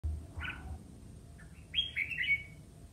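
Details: Red-whiskered bulbul in competitive singing, a few short warbled phrases: a brief burred note, then a bright whistled flourish rising and falling near the end, over low rumbling background.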